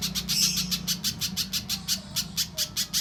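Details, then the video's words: Little spiderhunter mbeset song prized by contest judges for its clarity: bright, shrill chipping notes repeated quickly and evenly across three seconds, with faint low hum behind. "Top Masteran Burung Pijantung Pisang Mbeset Suara Jernih Yang Disukai Juri Lomba"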